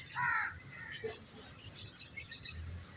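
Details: Common myna of the subcontinent, also called maina, sharak or lali, a shy bird that haunts house courtyards and kitchens, giving a loud harsh rasping call with harmonic bands, then softer chatter and faint notes.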